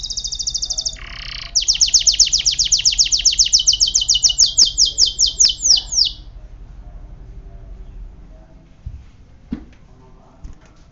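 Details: Canary singing loud, rapid rolling trills: a brief tour, a short pause, then a long run of quick repeated pulses that slows and breaks off, followed by faint background sounds.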